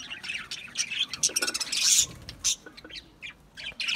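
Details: Budgerigar calls in quick succession: high twittering chirps and a harsh buzzy squawk in the middle, then scattered single chirps with brief gaps.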